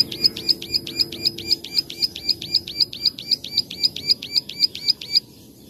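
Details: Plain prinia, called ciblek sawah, giving its klik-klik song for use as a training master: quick, crisp high notes at roughly four per second, then a sudden stop with quiet after.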